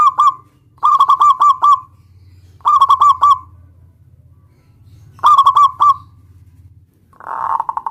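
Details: Local zebra dove singing to challenge a rival into answering, with repeated bursts of fast, stuttering, resonant coos spaced by pauses, and a soft low hum in the background.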